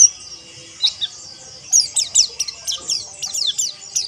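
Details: White-eye (pleci) ombyokan song, played as training audio so birds learn rough ngeriwik trills and ngalas singing: very high, thin, fast downward-slurred chirps, sparse at first, then a dense twittering run from about the second half onward.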